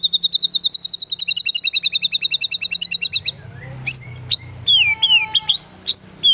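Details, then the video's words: White-rumped shama from Medan singing loudly: a fast even trill of high notes that rises slightly, followed by varied clear whistled phrases with sharp upward and downward sweeps. "MURAI BATU MEDAN GACOR"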